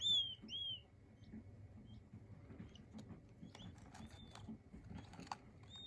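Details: King quail chicks peeping, described as soothing: two high, thin, arched whistles at the very start, then quiet rustling and soft scattered ticks.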